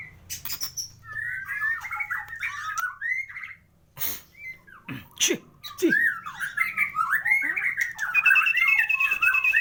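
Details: White-rumped shama (murai batu) singing a full-repertoire 'isian lengkap' champion song: rapid varied whistled and warbled phrases, rising and falling, broken by sharp clicks and harsh noises midway, then a dense run of chattering notes.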